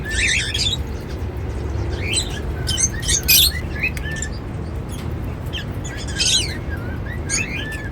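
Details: Happy cockatiels munching seeds give bursts of buzzy chirps and short whistles in irregular clusters, loudest around the middle, over steady low background noise.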